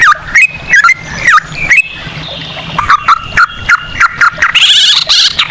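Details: Yellow-vented bulbul singing in ropel style with cucak rowo phrasing, a lure recording to get birds singing: rich falling whistles at first, then level whistled notes, and a harsher buzzy burst near the end.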